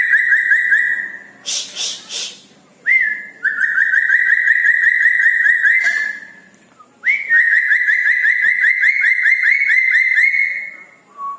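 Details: Red-breasted parakeet singing vigorously at night: long pulsed whistled trills near one pitch, each run lasting several seconds, broken by short harsh rasping bursts and brief pauses.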